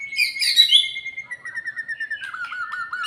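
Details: White-rumped shama after moulting, being lifted toward fighting spirit; a bright burst of chatter over a held whistle, then a steady string of quick warbled notes gently falling in pitch.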